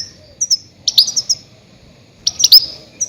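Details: Loud goldfinch cries used to lure grey-headed goldfinches: clear, high, slightly buzzy chirps in two quick clusters separated by a short silence, against a quiet background.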